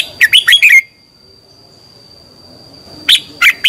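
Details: Red-whiskered bulbul singing its morning 'chè' song, used as a lure to train others: one quick phrase of four warbled notes, a two-second pause, then three more sharp notes.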